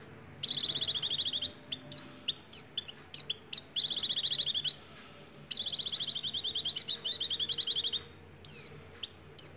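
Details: Oriental white-eye in full 'nagen ngecrok' song with white-rumped shama imitations: three long, rapid, high trilled bursts broken by short chips and quick whistles, closing with down-slurred whistled notes.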